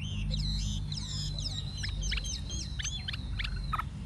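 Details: Old wild-caught Chinese hwamei singing in forest-voice style: a rapid run of steep high whistled sweeps and short downslurred notes over a steady low hum.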